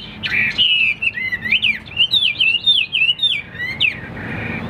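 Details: Hwamei, a caged songbird said to have a loud ringing voice and fighting display: clear, sliding whistled notes in quick varied series, rising and falling, with slight background hiss.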